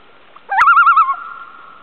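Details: A loon on Chant Lake, a small lake off Burntside Lake near Ely, Minnesota, in August 2006, gives a quick upward swoop into a wavering, yodel-like quaver of about half a second, then trails off on a steady held note.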